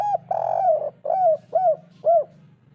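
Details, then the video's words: Spotted dove 'kuk 3' coo from a local bird, meant to prompt a silent bird. A long throaty coo, then three arched rising-falling hoots over a steady low hum. "masteran derkuku tekukur kuk 3 atasi burung malas bunyi langsung nyaut"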